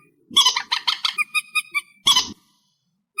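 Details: Reed warbler in an amplified recording: harsh, grating chattering phrases, a burst of rapid repeated notes followed by a clipped strophe and then silence.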